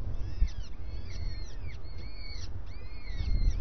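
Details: Starling at breakfast, giving a string of slurred whistles, some rising and some falling, with overlapping thin whistles layered over a steady low rumble of background noise.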